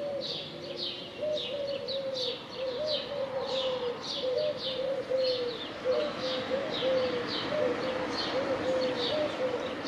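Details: A dove's low, mellow coos run in a near-continuous chain of short swelling notes, overlaid by a steady stream of high, sharp chirps from other birds.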